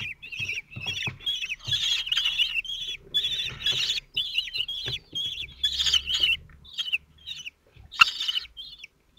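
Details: Common Kestrel nest at Théding, France, 27 June 2023: the male feeds four 17-day-old chicks, which are calm and well fed. High, harsh chittering calls come in dense bursts, some rising and falling, with short gaps and soft rustling below.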